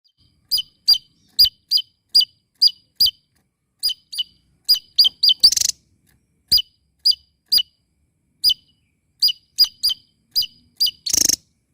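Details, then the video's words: Small bird singing loudly and steadily: a series of sharp, high, clipped chirps spaced about half a second apart, with two brief bursts of harsh noise partway through and at the end. "BURUNG KECIL ..KERENNN...GACOR LANTANG..NGOCEH"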